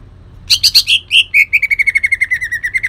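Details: Kalimantan cucak ijo (leafbird) song with borrowed long-tailed shrike phrases: a few loud harsh notes, then a fast, even rattle of clipped chips held on one pitch.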